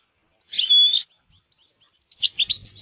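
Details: European goldfinch in natural surroundings: one harsh, buzzy, drawn-out note, a short pause, then a few quick, bright chips.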